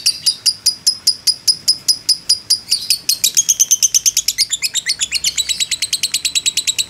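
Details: Fighter lovebird chattering in a drawn-out ngekek, meant to rouse other lovebirds: clear, evenly spaced high chirps at first, then quickening into a denser, rougher, buzzing run.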